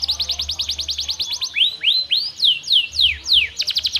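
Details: Canary kept by a friend, a lively singer offered as a prompt to get reluctant canaries singing; rapid repeated high sweeping notes, then slower down-slurred and up-swept whistles, ending in fast trills.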